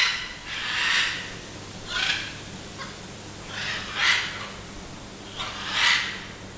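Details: Macaws in an aviary behind a castle give harsh, raspy squawks, about four in all, spaced a second or two apart, over a low steady hum.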